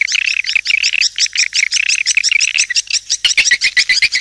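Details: Swiftlet calling sound for luring: rapid strings of bright, squeaky chirps repeated several times a second, becoming more staccato and spaced near the end.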